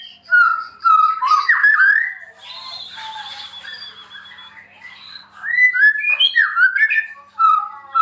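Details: Murai batu, the white-rumped shama, singing energetically as tutor material for other shamas: loud, pure whistled phrases with rising and falling slurs, a long steady high note in the middle, then quick varied whistles again.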